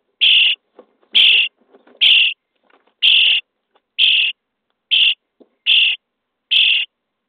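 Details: Common starling chicks in a nest box, day 23, being fed: eight loud rasping begging calls at fairly even intervals of under a second, with soft clicks and rustles from the nest between them.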